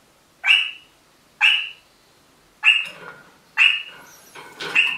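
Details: Pet rosella parrot giving loud, sharp rising squawk-whistles, each falling away quickly, repeated about every second, five calls in all.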